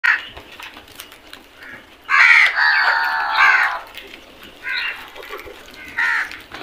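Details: Crows in a flock while eating give loud harsh caws, with one long grating burst in the middle and shorter raspy calls before and after, over steady background noise.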